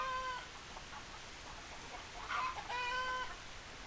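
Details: Fowl calling: a short, level, harmonic squawk opens the sequence, a few soft clucks follow, then a tight cluster of brief notes leads into a second drawn-out squawk about half a second long.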